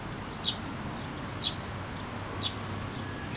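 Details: Sparrows arriving at a post to be fed at a shrine, 26 June 2024; brief sharp chirps repeated about once a second against constant low rumble.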